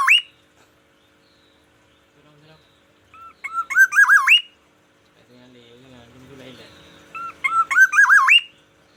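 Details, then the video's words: Morning song of a captive Black-naped oriole from Aceh: two rich fluty warbling phrases climbing to a high ending, separated by a pause filled with a soft low murmur. "variasi kicauan di pagi hari"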